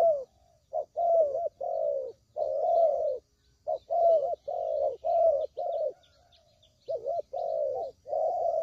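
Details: Spotted dove cooing, a recording used as a lure for trapping: low, mellow coos in short phrases with brief gaps, repeated steadily across the stretch, with faint high chirps in the background.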